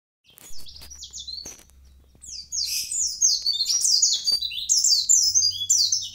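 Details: Mountain white-eye in lively full song, recorded in Kintamani, Bali: rapid high twittering phrases of sliding, jumbled notes, starting with sparse chirps then building into a continuous, loud warble; a steady low hum runs underneath.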